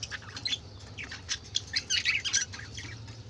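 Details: Several colorful budgerigars making a noisy racket, with rapid overlapping chirps, warbles and grating squawks growing louder toward the middle, over a steady low hum.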